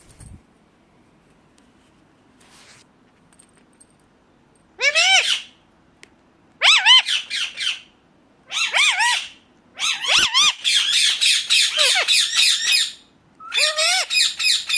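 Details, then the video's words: Ringneck parakeet calling in bursts after a quiet start: loud, grating squawks in quick runs of several notes, some arched and falling, with short pauses between volleys. "ringneck 🦜 natural sound"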